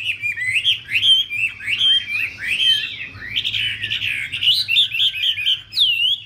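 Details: Chinese hwamei female (Garrulax canorus) fanning and dancing to urge on the male; continuous loud warbled whistles, rapid rising and falling slurs strung together without pause, ending on a clear upward-curving note; low background hum.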